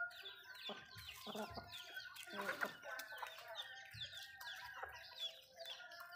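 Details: Backyard Malay chickens at home eating food: scattered soft clucks and high chirping notes, a few dull pecking taps, busy overlapping calls throughout with low background rumble.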